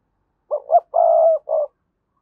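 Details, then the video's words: Spotted dove decoy call meant to set wild doves cooing. A single clean phrase has two short upward-inflected notes, a long steady coo and one short closing note, all in quiet surroundings. "Tiếng chim cu gáy thúc bổi, mở lên nhá bổi gáy liền, giọng may bổi"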